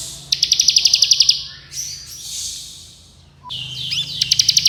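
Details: Bar-winged prinia delivering fast 'ngebren' song: a tight rattle of high clicking notes for about a second, a softer varied phrase, then another quick ticking burst.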